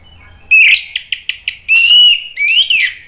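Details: Orange-headed thrush (anis merah) song used as a lure to stimulate other birds to answer: a loud whistled rising note, a run of four short sharp chips, then a long sustained whistle and a final rising warbled phrase.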